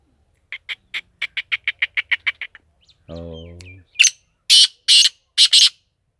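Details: Black francolin offered for sale: a quick run of dry ticking notes speeding up, then a low, buzzy, nasal note, followed by three loud, harsh, rasping bursts at roughly half-second intervals.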